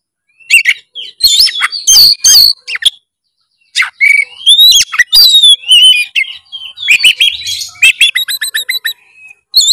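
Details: Nonstop loud 'narung' singing from an oriental magpie-robin, meant to prompt a silent bird to sing. Sharp whistles, harsh buzzy bursts and rising slurs alternate, with a pause before a quick series of repeated high chips.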